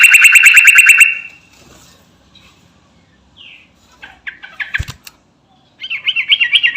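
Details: Sooty-headed bulbul of the Garuda type calling to companions: a one-second run of rapid, buzzy repeated notes, then scattered short chirps, a sharp click, and a fresh burst of quick wavering notes near the end.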